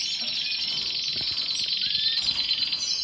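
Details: Short stretch of canary song, a dense high rolling trill throughout with a single rising whistle near the end.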